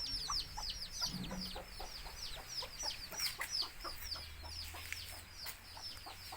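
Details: Baby chicks of native country chickens with their mother hen, which calls them to eat: a dense chorus of high, thin, down-slurred peeping notes over a train of short, fast, low clucks, with a brief low hum near the start.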